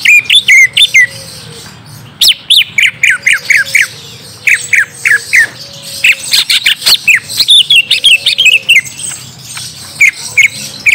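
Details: Orange-spotted bulbul song played to lure a young bird into replying: a long, rapid run of sharp whistled and chirping notes, densely repeated over eleven seconds with brief gaps, amid background hiss.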